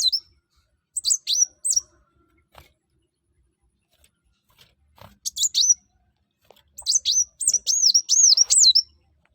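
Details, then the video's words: Olive-backed sunbird, locally called kolibri wulung or mucang, singing energetically to lure other birds into song: short bursts of very high, sharply rising and falling whistled notes in quick runs, with pauses and faint clicks between. "kuwul atau kolibri wulung/mucang gacor. buat burung lain pasti ikut gacor"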